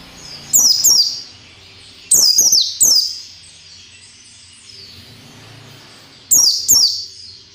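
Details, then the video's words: White-eye song in the 'ngalas nembak' style, played to train captive birds: loud, piercing downward-swept notes in clusters of two or three, three clusters over several seconds, with a soft low hum underneath. "SUARA PELECI NGALAS NEMBAK SERTANDAR"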